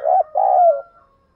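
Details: Decoy spotted dove cooing to provoke rival doves: a short throaty note, a brief gap, then a longer steady coo that drops at the end, followed by a thin fading tone.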